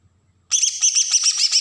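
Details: Green leafbird from Berau, Kalimantan, in agitated besetan song used as a lure for untrained birds: a sudden, loud, shrill burst of fast rattling notes with a high whistled overtone.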